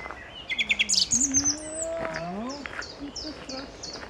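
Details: A song thrush at Bärenwald Müritz, Germany, delivers quick bursts of bright, high chirping notes, then short repeated whistles, while a low human voice murmurs in the background.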